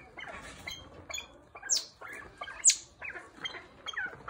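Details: A golden pheasant, called a lemon pheasant, during mating display dances gives two loud, sharp, high squeaks about a second apart over a busy background of softer chirps and twitters.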